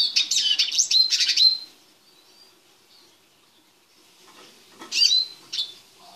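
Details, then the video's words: A caged male Eurasian siskin, kept in a small cage while being prepared for mating, sings a fast, high twittering run of chirps and trills, pausing, then resuming with a couple of bright rising notes. "Carduelis Spinus Song"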